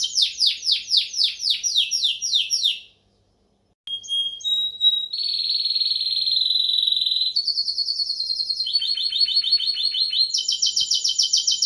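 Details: Timbrado canary song: a run of high descending whistled notes about five per second, a brief silence, then sustained buzzy rolling trills stepping between pitch levels.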